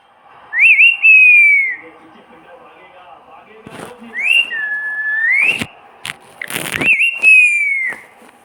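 A parrot gives three drawn-out, whistled meows that rise and then slowly fall, copying a cat. Sharp clicks and taps fall between them.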